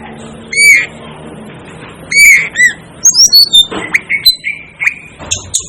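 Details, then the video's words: Asian glossy starling calling: sharp, squeaky notes with bright overtones, spaced at first, then a quicker run of short chirps and metallic squeaks near the end. "'DEVIL ' BIRD CALL || Asian Glossy Starling Calls Aplonis Panayensis"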